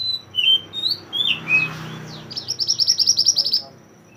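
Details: Mantenan bird, a mountain mantenan singing energetically, recorded as a training song for songbirds: high thin chirps and slurred whistles, then a rapid even trill of sharp notes lasting about a second.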